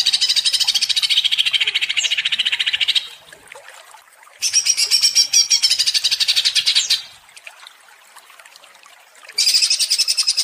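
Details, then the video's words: Agitated ngentrok singing of a greater green leafbird, used as a lure: three bursts of fast, high, rattling notes separated by short quiet gaps, the middle burst slightly higher and thinner. "Pancingan Cucak Ijo menjadi emosi & gacor ngentrok"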